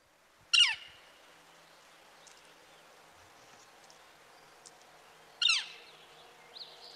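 Red-shafted Northern Flicker giving two loud, piercing, downslurred 'kyeer' calls about five seconds apart, with faint chips and a quiet background between.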